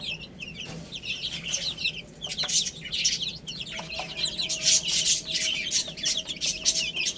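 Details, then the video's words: Chicks pecking at spinach keep up a crowded flurry of high, slurred peeps, punctuated by repeated sharp clicking taps that grow busier toward the end. "Adorable Little Chicks Chirping Sounds"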